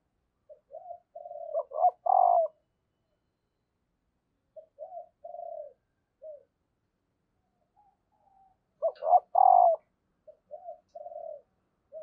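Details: Female spotted dove calling to rouse reluctant males into cooing: two low, husky coo phrases, each a couple of short notes building to a longer rough coo, then softer trailing coos, separated by a pause of several seconds, no other sounds.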